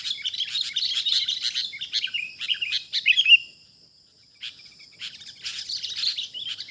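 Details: Wild sooty-headed bulbul being trapped, giving bright chattering chirps in rapid bursts for over three seconds, then a pause before softer scattered notes resume; a steady high hiss runs underneath.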